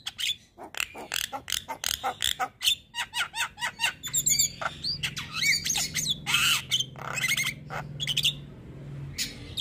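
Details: Javan myna singing for a training recording aimed at lazy birds: rapid rhythmic chirps followed by squeaky whistles and harsh squawks over a low hum.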